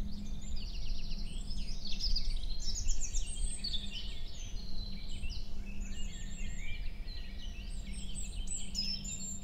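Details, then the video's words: European robin song at 7 a.m. in early May, forest near Hoher Peißenberg; dense, continuous cascade of high tinkling and trilled notes with little pause, fairly loud, over a constant low-pitched hum. "Rotkehlchen (4) - Gesang im Mai"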